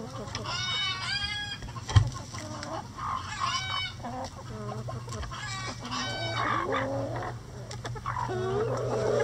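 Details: Backyard rooster crowing in a coop while the flock pecks at a hanging cabbage for enrichment; several drawn-out, harmonic, wavering calls about a second long recur through the clip over busy hen clucking and a steady low hum.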